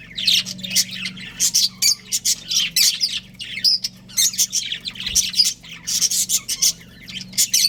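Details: Budgerigars of a breeding pair twitter in short, sharp, high chirps that repeat in a choppy, uneven rhythm, each burst brief and scratchy, with a soft steady hum in the background.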